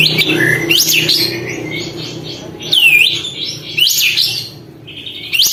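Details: Sooty-headed bulbul, an active singer with its tail spread, calling to provoke other birds: sharp looping whistled notes, rising then falling, in short bursts about once a second, over a low indoor hum.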